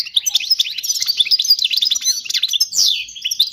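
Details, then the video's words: Goldfinch singing a song used to teach young birds, a busy, unbroken twitter of rapid chirps, slurred whistles and buzzy sweeps. "تغريد الحسون الملكي خالي من الاخطاء لتعليم الفراخ"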